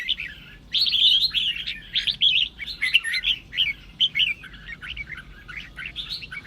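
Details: Red-whiskered bulbul song meant to stir other bulbuls to sing. After a soft opening, it becomes a lively series of short, clear, chirpy whistles with brief gaps between bursts.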